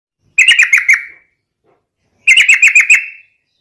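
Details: Yellow-vented bulbul (trucukan) in lively fighting song meant to provoke rivals: two short bursts of five or six quick, sharp chattering notes, each burst trailing off, separated by about a second of silence.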